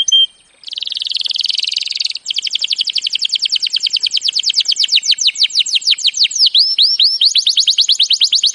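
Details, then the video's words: Canary singing a training song: a brief whistle, a continuous buzzy rolling trill, then a long series of rapid descending chip notes speeding into looping swept whistles, clean recording. "Birds song Canary ❗suara Burung Kenari !!"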